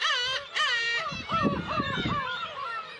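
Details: Black-tailed gulls at the Kabushima breeding colony, Hachinohe, Japan, 10 June, with chicks; a close bird gives long descending cat-like mewing wails, followed by shorter bouncing mews over low rumbling background noise.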